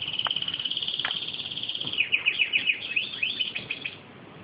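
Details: European goldfinch calling while feeding: a steady run of high, rapid chirps, about three or four each second, breaking into liquid, tinkling twitters before fading out.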